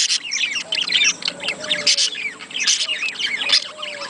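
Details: Budgerigars warble in a recording used to stimulate breeding. Busy, chattering high chirps arrive in dense clusters about a second apart, with short squawky notes mixed in and a faint low hum underneath.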